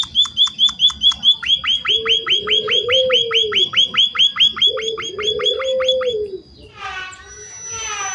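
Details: Lure recording of a munia for prompting other munias to reply: a fast series of clipped high chirps with a low droning hum beneath, ending in a softer burst of different chattering notes.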